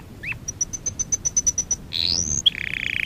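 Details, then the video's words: Canary training song: one slurred note, a string of evenly spaced high pips, an upward sweeping whistle, then a fast buzzy roll. "Kanarya sesi kanarya eğitim/1 canary sing"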